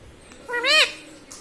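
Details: Pet talking Indian ringneck parakeet gives a single drawn-out, nasal call that rises then falls, about half a second long, against a quiet room.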